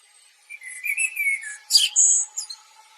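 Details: Common blackbird (Turdus merula), also known as the Eurasian blackbird, singing one phrase: a mellow fluted warble that slides downward, then a sharp, squeaky high twitter and a bright, thin closing squeal, all against quiet background.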